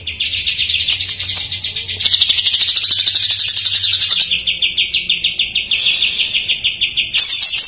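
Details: Jamtrok-style filler song of a greater green leafbird, used to prompt untrained or silent birds: continuous high chattering trill, pulses roughly three per second, with bright bursts and a steady lower buzzy run near the end.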